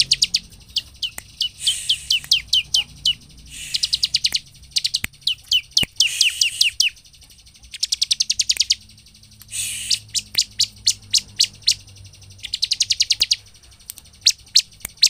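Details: Bar-winged prinia (ciblek) in full, lively song, used to provoke other birds into singing: rapid series of sharp high chirps and trills, repeated in bursts of several notes with brief buzzy rattles between phrases; faint low background hum.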